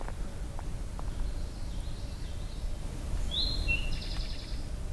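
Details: Eastern Towhee gives its 'drink-your-tea' song, two clear high notes then a quick buzzy trill, with faint birdsong and low rumble beneath; near dusk, June 6, 2023, trail to Hector Falls, Tionesta Scenic Area, Allegheny National Forest, Pennsylvania.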